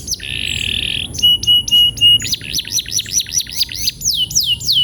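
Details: Canary song meant to train canaries to roll quickly: a long buzzy trill, a few clipped whistles, then quick looping chirps and descending slurred notes in rapid sequence.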